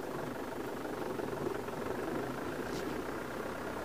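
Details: A vehicle engine idles with a steady low rumbling hum throughout, and no animal calls can be heard.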